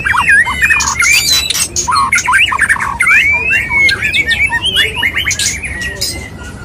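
White-rumped shama pouring out a rich, varied song of clear whistles, slurred rising notes and harsh chattering phrases, nearly nonstop; a second bird seems to answer.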